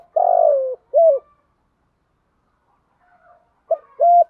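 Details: Low, mellow coo from a decoy spotted dove in the 'thúc gù' style: a long descending note and a short hoot, then after a quiet gap two quick opening notes of a new phrase.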